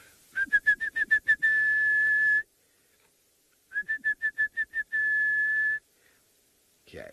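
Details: Orange-breasted Bushshrike (Chlorophoneus sulfureopectus), a bird of thick bush more often heard than seen, calls loudly on an African safari sunset drive, June 22, 2018: a quick run of about seven clear whistled notes, then one long level whistle, given twice.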